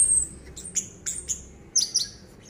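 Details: Orange-headed thrush, a caged bird in deep continuous song even while its cage is shaken: a drawn-out falling whistle, then short sharp notes in quick bursts, over a faint low rumble.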